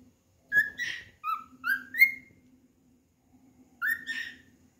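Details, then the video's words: Pet cockatiel singing while seeking another cockatiel to play with. Several clear whistled notes rise and slide upward, given in a quick group, then one more rising whistle after a pause, over a faint low hum indoors. "Calopsita cantado e procurando nenê"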